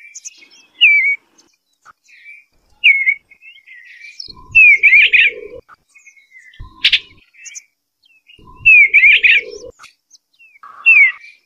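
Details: Repeated short phrases from an Eastern bluebird, each a sharp downslurred whistle run into a dense warble, returning roughly every two seconds with quiet gaps and soft low thumps between.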